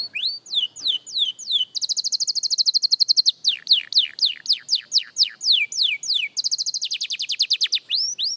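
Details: Young canary practising, mixing falling whistled notes with long rapid trills of tiny repeated high pips, roughly four notes per second, loud and continuous, in a quiet setting.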